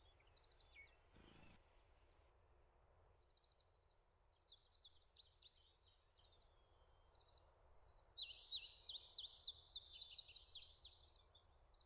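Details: Male prairie warbler singing on territory in Connecticut in May while the female builds the nest: two bursts of high, thin, buzzy notes climbing steadily in pitch, over faint low rumble and one brief thump.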